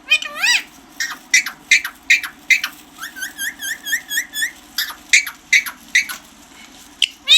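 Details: Green parrot in a talking-parrot recording, giving a long run of sharp, rising, harmonic squawk-whistles, about fourteen notes spaced roughly every half second, with a mid-series cluster of quick upswept chirps over faint indoor hum.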